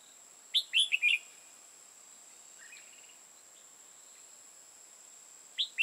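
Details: Red-whiskered bulbul used as a decoy for bird trapping in Hòa Bình, Vietnam. It sings a quick, bright phrase of four or five whistled, warbling notes. A softer phrase follows, then a new phrase begins near the end. A steady high electronic-like whine runs throughout.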